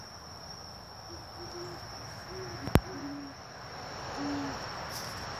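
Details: Great horned owl giving low, soft hoots: a short broken run of muffled notes, a couple more after a sharp click, then one longer hoot near the end, over a steady high insect whine.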